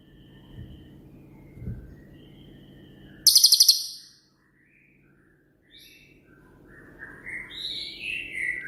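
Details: Cililin, a shooting-type master bird for training songbirds: a loud, very high rattled burst of rapid notes, a pause, then a run of varied high whistles, rising and falling.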